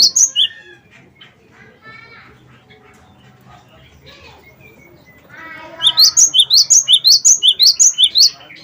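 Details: Cinereous tit 'wingko' song used as a lure to get other birds singing. A brief high phrase opens, soft varied chirps and a thin whistle follow, then a long loud string of rapid, high two-note phrases.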